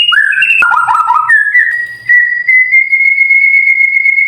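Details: White-rumped shama song meant to train silent birds: brief sharp whistles and a short tumbling trill, then a very long, pure, steady whistle that rises slightly and holds for over two seconds.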